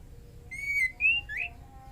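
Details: A breeding-condition female white-rumped shama calls for the male: three linked whistles, level, then higher, then a quick upward sweep, over faint background hiss.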